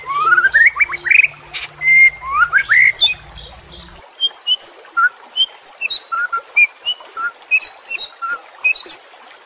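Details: White-rumped shama song meant to train quiet caged birds: quick rising whistles with a low hum at first, then a steady run of short separate chips spaced about twice a second.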